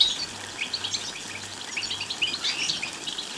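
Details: European goldfinch singing strongly to stimulate other goldfinches: quick run of sharp, bright chirps and liquid trills packed closely together, with a faint low hum.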